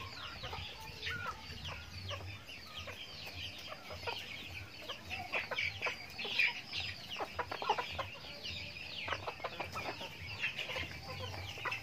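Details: Backyard flock of chickens feeding, giving a continuous chorus of shrill peeps and short chirps, some sharp clicks and pecking taps mixed in, low hum beneath.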